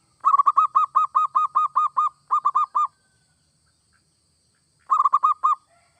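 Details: Singing zebra dove of local or Bangkok perkutut type, a recording meant to make other doves sing: a long, regular string of mellow coos split by a small gap, a two-second pause, then a brief second burst.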